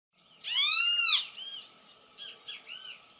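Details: Great kiskadee singing in the wild: one loud, raspy, strongly harmonic note arching up and down for nearly a second, followed by two fainter, softer arched notes.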